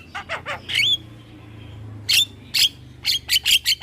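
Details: Young Javan myna singing while bobbing its head: harsh downslurred squawks, then loud, broad, rasping notes repeated in quick succession, some with whistled overtones, over low background hum.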